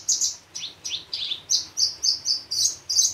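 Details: Javan bush lark singing steadily with a rich, varied song, a model for luring other bush larks: high, bright chirps and short downslurred whistles, about three per second, in an even run with faint low hum beneath.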